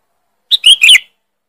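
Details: A sooty-headed bulbul gives a loud, sharp lure call: a quick burst of three bright, bubbly whistled notes lasting about half a second, with no other sounds.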